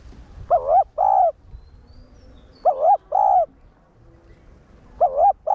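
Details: Spotted dove, a one-tail-note cooing style used to stimulate caged males: three paired cooing phrases, each a short wavering coo followed by a longer level one, repeated about every two seconds, with faint low background rumble.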